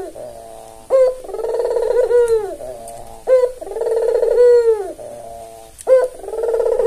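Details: Red-eyed white albino Barbary dove, a tame lure bird for training other doves: three repeated coos, each a short sharp opening note followed by a long rolling, slightly falling purr, close and clear.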